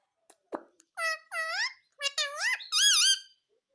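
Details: Pet parrot indoors imitating human speech, saying "mummy": four clear, high, nasal word-like syllables with rising and falling pitch, spoken in quick succession after a soft click, with a quiet room behind.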